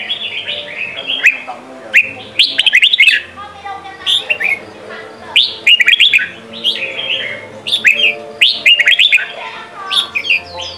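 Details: Red-whiskered bulbul song in the Sông Kon style for daily training of young birds: lively warbled phrases of rising, chirping whistles repeated roughly every two to three seconds, with short pauses between, low background hum.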